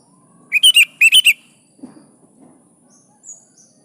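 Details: Kutilang 'gacor' song used to encourage reluctant birds to sing: two quick clusters of three warbled, slurred whistles in close succession, then soft rustling and a faint high note.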